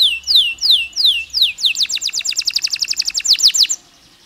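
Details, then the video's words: Canary singing long phrases as a lure for stressed canaries: slow, loud, downward-swooping whistles, then a rapid run of sharp falling notes that ends in a short pause. "PANCINGAN KENARI STRES, KENARI GACOR PANJANG DENGAN JEDA"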